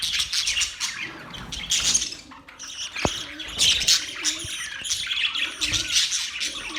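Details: Mating budgerigars chattering: a busy mix of high chirps, rasping squawks and short whistles from several birds at once, with a few faint lower clicks and knocks underneath.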